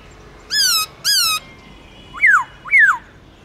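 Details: Caged black-throated laughingthrush, forest-voice style singing. Two bright, richly toned level whistles are followed by two sharp, quickly falling notes.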